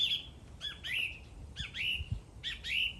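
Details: A bird repeats a harsh, downward-slurred call about four times, roughly once a second, with a few soft low knocks in the background.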